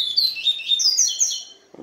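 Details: Israel-style song of a papa-capim stirred by a female for a day: dense, rapid high whistles sweeping up and down for about a second and a half, ending with a short thump.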